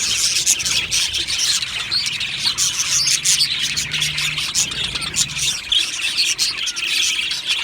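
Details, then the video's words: Aviary colony of happy Australian budgerigars, numerous birds chirping busily: bright rapid tweets and twittering warbles layered over a constant scratchy chatter, with a faint low hum in the middle. "Australian Budgie birds Chirping Sounds"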